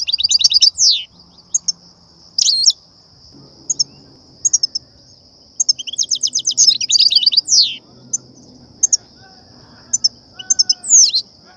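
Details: Goldfinch song meant to stir up and draw in wild goldfinches for trapping, in the batbata and satsata style: bursts of rapid liquid twittering and downward-sliding buzzy notes between gaps, over a constant thin high tone.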